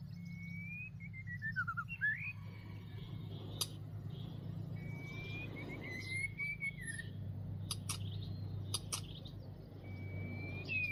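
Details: White-rumped shama in northwest Vietnam, caught in a trap during a fight, gives long whistled phrases that glide down and then sweep back up, separated by pauses. Scattered sharp clicks and a constant low hum are also heard.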